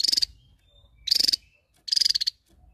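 A Javan tesia gives three short, high, rapid buzzy trills, each about a third of a second long and spaced roughly a second apart.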